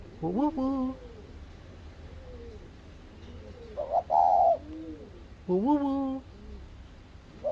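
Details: Spotted dove calling after seeing its mate: low, mellow harmonic coos that rise and then hold level, in three phrases, with a shorter, rougher, higher note in the middle. Background is quiet.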